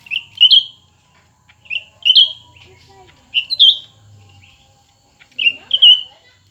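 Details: A new and an old cucak ranting sing against each other with loud, sweet whistled phrases. Each phrase is a double flourish that swoops up and down, given four times with short pauses between.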